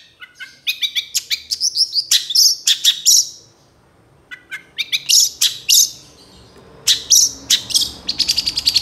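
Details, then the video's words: Long-tailed Shrike, cendet, in trotol style, a training recording for making shrikes sing actively: rapid bursts of sharp high chirps and short whistled notes in two dense phrases separated by a brief pause. "MASTERAN CENDET TROTOL AMPUH CEPAT GACOR, PANCINGAN CENDET GACOR FULL ISIAN"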